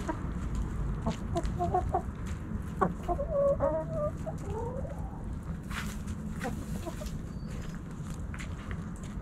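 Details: Backyard chickens, hens and roosters, snacking at Thanksgiving: scattered soft clucks and short calls from several birds over a steady low rumble of background noise.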